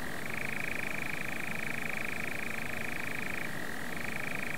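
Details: European nightjar on a Norfolk heath churring: a continuous, fast mechanical trill held for seconds, dropping briefly to a lower pitch then switching back up, over a low rumbling background.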